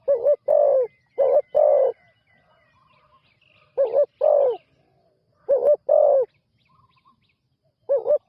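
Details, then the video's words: Spotted dove, a young decoy bird out for its first training on the ground, delivers clustered low coos, a short note then a longer one, in bursts separated by pauses of over a second. "นกเขาใหญ่ต่อดิน ฝึกนกใหม่ออกฝึกครั้งแรกพอได้ยินเสียง"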